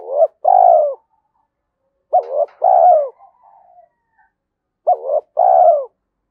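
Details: Spotted dove singing in the 'thổ' style with a fight-provoking 'thúc đấu' voice suited to the forest, used when setting traps. Three low cooing phrases, each a short note then a longer drawn-out coo, about two seconds apart.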